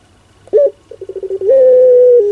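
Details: One pelung phrase of a Barbary dove (puter): a sharp clipped note, a short pause, a series of accelerating pulsed coos, then a long flat drawn-out coo falling a step at its close.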